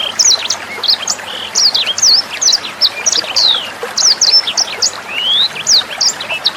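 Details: Training recording of a sanger bird for captive songbirds: clusters of very high, sharp descending chirps repeated in pulses roughly every half second, with a thin rising whistle near the end, over trickling water.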